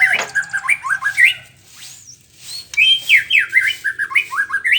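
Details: White-rumped shama singing in the morning: rapid bursts of varied whistled and chattering notes, with a near-silent pause midway before the song resumes with quick rising and falling phrases.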